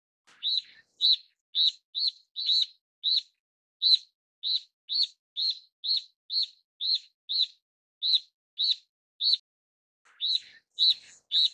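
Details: Steere's Liocichla, a Taiwan endemic of broadleaf forest and scrub at 1000–2800 m, gives a steady run of short, sharp, high chirps, about two a second, with a brief pause near the end.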